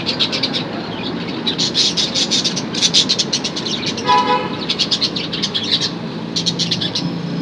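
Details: Budgerigars at play: dense, continuous chirpy chatter with scratchy high warbles throughout and a brief steady tonal hoot near the middle. A constant low rumble lies beneath.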